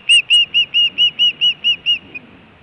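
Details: Osprey at its Montana nest in June 2017, food or alert calling: nine evenly spaced whistled chirps, slightly arched, about four per second, ending abruptly.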